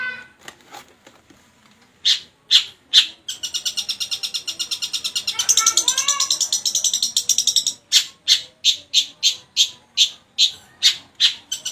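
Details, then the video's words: Long-tailed shrike in full song with lovebird imitations worked in: harsh, scratchy notes repeated in a steady series, then a dense buzzy chattering run with a few short rising notes, and later more evenly spaced harsh notes. "cendet gacor isian burung lovebird"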